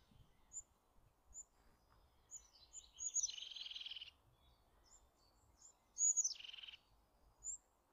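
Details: Eurasian jay producing two harsh, scratchy rasps preceded by thin high whistles, over a steady low background hum.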